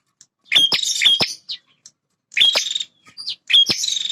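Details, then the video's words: Territorial male bar-winged prinia, a combative bird guarding where it feeds and nests, delivers three loud phrases of snapping clicks and grating buzzes, with soft faint notes in the pauses. "Suara Prenjak Jantan Super Gacor Pemancing Emosi Burung Bahan"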